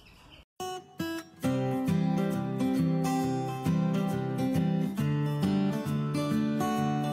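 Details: Strummed and plucked acoustic guitar music plays throughout, after a brief quiet start, with no animal voices.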